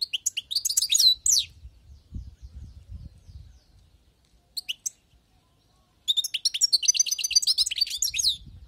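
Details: European goldfinch, caught from the wild, delivering quick high twitters in short bursts with pauses between, ending in a longer run of rapid tinkling, chattering notes; faint low rumble at times.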